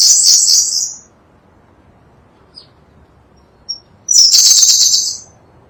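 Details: Sunda blue robin, a bird endemic to Java and Sumatra, recorded as tutor song for songbirds: a rapid, high, buzzy chatter, a pause with two faint thin chips, then another loud one-second trilled phrase.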